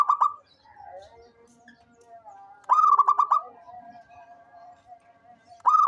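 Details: Local zebra dove that calls often: short runs of rapid stuttered coos at the start, middle and end, linked by a faint, long, level whistle-like tone.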